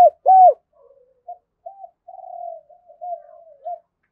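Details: Spotted dove song for luring wild rivals to a decoy: one loud hoarse croo opens, followed by a trailing series of faint, low, wavering coos.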